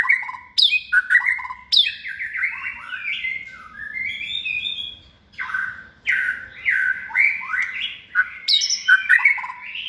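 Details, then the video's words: Caged white-rumped shama, hand-reared and in its second season, praised as a persistent, multi-voiced competition singer. Sharp high clicks introduce looping, fluty whistles in varied bursts, with brief gaps between phrases. "chòe lửa dáng sẻ, hót cực bền nết chuẩn đấu giàn"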